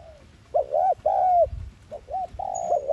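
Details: Spotted dove lure coo in the 'thúc gù' style. Mellow low coo notes, partly overlapping, with a thin high whistle near the end and faint low bumps.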